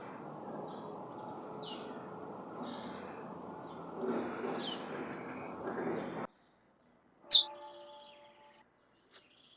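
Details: Released blue-black grassquit singing in nature: sharp, high descending buzzy notes every few seconds, first over a background murmur, then in near silence after an abrupt break, with a few fainter notes following.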